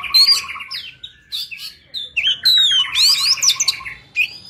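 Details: Magpie-robin singing wild forest-style song used to train young birds, rich run of clear whistled phrases, quick rising slurs and scratchy trills, loud and continuous with brief gaps.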